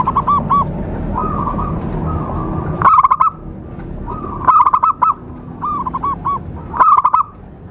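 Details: Zebra dove lure sound used for trapping birds: rapid staccato cooing phrases of mid-pitched, stuttering notes ending in a rolled coo, repeated about every two seconds over a low rumbling background and a steady thin high tone.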